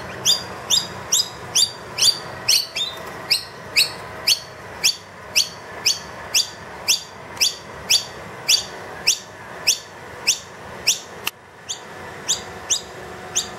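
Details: Loud food-demanding calls of a wild noisy miner indoors with its two young once the feeder is empty: a long steady run of sharp, high upslurred chirps about two per second, with a brief click near the end.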